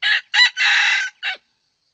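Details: Red junglefowl crowing during junglefowl trapping with a decoy bird: one loud, clean crow in four bursts, two short notes, a long drawn-out third, and a brief clipped ending, lasting about 1.4 seconds before silence.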